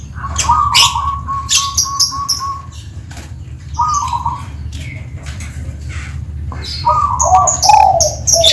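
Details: Zebra dove (perkutut) from Tuban with a so-called crystal voice, singing freely: a low, rolling, stuttered coo held for about two seconds, then shorter coo phrases near four and seven seconds, over sharp high chirps from other birds and steady low hum.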